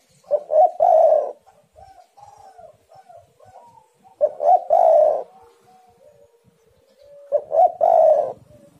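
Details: Spotted doves calling against each other to draw other doves into song. Three strong phrases of short notes ending in a long coo. Quieter coos from a second bird fill the gaps between them.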